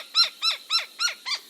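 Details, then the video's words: Gila woodpecker gives five harsh, nasal, slightly descending notes, evenly spaced about three to four per second; no other sounds are heard. "Here's what the Gila sounds like."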